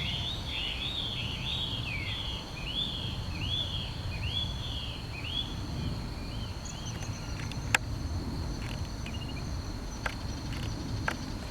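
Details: Common kingfisher recorded with a Canon PowerShot SX50 HS: a quick run of about ten arched, whistled notes over roughly five seconds that fade out, over a steady insect hum, with sharp clicks near the end.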